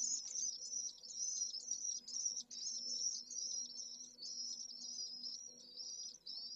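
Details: Lone pallid swift nestling in an urban heat island in Jerez de la Frontera, Spain, midday 25 August, heatwave over 44°C; shrill, rapidly wavering trilled notes in long runs separated by brief breaks, with a soft low hum beneath.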